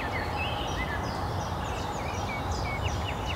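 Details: A sedge warbler sings at Szachty in Poznań, Poland, on 5 May 2024: a fast, varied run of chirps, short whistles and scratchy notes over a steady low rumble of wind or distant traffic.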